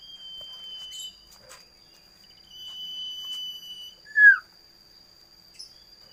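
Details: Common iora (local name sirtu, cito or sirdum) giving two long, drawn-out, even whistles about a second apart, ending with a loud sharp downslurred note. A faint constant electronic tone sits in the background.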